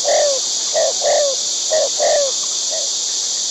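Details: Wild white-breasted waterhen feeding its young: clear, low, down-slurred notes given in quick uneven pairs and singles, about six in three seconds, over a constant high hiss of insects.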